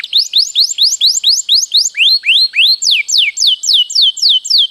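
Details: Canary in full song with a long rolling delivery, used as a master recording for training: a steady series of sharp rising-and-falling whistled sweeps, about four per second, with a few lower, slower slurs midway.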